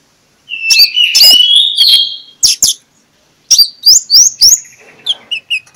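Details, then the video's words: Oriental magpie-robin song, ngeplong style, used in the morning to lure shy magpie-robins into singing. A long buzzy whistled phrase, a pair of clicks, then a series of rising whistles and soft chips. "PIKAT Konin Lelet jadi NGOBRA, Menggunakan Suara KONIN Ngeplong"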